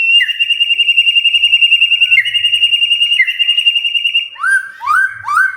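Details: White-rumped shama stirred into singing, holding a long rapid trill on one high pitch that restarts twice, then ending with three loud rising whistled notes.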